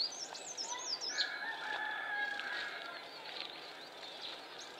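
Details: Northern fantail in the wild in Timor gives a quick run of high, looping whistled notes that rise and fall, then a background chorus of other birds and insects carries on.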